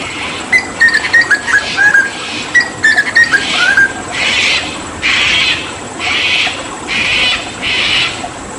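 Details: Papuan hooded butcherbird, a skilled mimic, delivering lively 'tembakan' tutor phrases with water therapy: several strings of short whistled notes for about three seconds, then a series of loud rhythmic hissing bursts.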